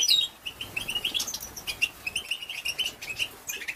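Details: European goldfinch female calls for prompting males to sing; series of short high chirps spaced roughly every quarter second, with a few sharp whistles.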